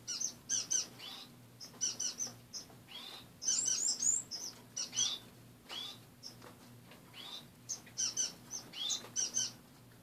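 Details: Lively series of high, thin chirps and quick twittering notes from several finches kept in a cage with perches removed, heard one morning; calls come in irregular bursts over a faint steady hum.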